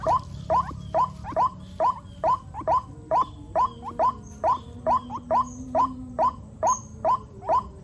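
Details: Young white-breasted waterhens calling in the rainy season, a regular series of short rising squeaks about two per second, with a faint higher chirp now and then.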